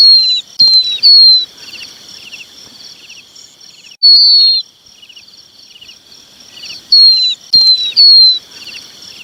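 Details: Red-wattled lapwing chick calling its parents: about seven piercing, down-slurred whistled peeps in loose clusters of two or three with long pauses between, over a constant insect chorus.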